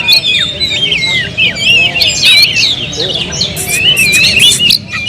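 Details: Oriental magpie-robin singing a rich, varied song of sweet whistled slurs, rising and falling notes and quick chirps packed closely together, with a faint low rumble underneath.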